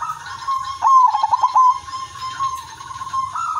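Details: Captive zebra dove, silver udanmas, whose melodious song serves to prompt other zebra doves to sing; a clear rolling series of short pulsed coos, then sustained level notes ending in a rising phrase, low hum behind.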